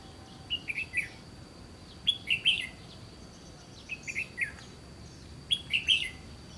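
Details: Song of a red-whiskered bulbul in a trapping scene by the Gulf of Tonkin: lively three-to-four-note warbles, repeated about every one and a half seconds, with a faint continuous high whine.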